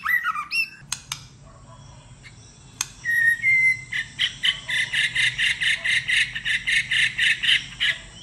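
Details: White-rumped shama singing competitively: a few whistles and clicks, then a sustained run of rapid, evenly repeated buzzy notes about twice per second.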